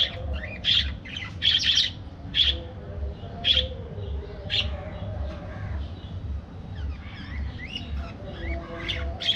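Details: Budgerigars in an aviary chirp in short bright bursts, some doubled, spaced irregularly about a second apart over a steady low hum, with softer warbling between.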